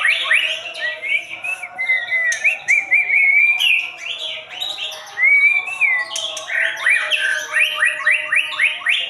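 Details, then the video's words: White-rumped shama delivering a long, varied song of upslurred whistles, wavering clear phrases and quick chirps, ending in a fast series of rising sweeps, with faint clicks in the background. "JALUR MURAI"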